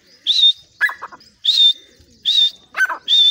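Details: Grey francolin kept in a cage in Pakistan, calling at the cage door: four loud high shrill notes, alternating with harsher, lower rasping calls in between.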